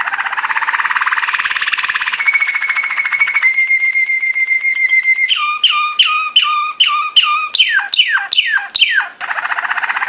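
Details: Belgian Waterslager (Malinois) canary training song, soft and water-like: a buzzy rolling trill, then a long pure whistle, then about ten repeated descending, drip-like glugging notes roughly twice a second, ending in a trill.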